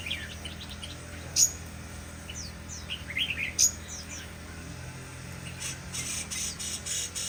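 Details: Shama singing a varied run of short whistled and chirped phrases, some high and sharp, with brief bright notes recurring at irregular intervals over a steady low background hum.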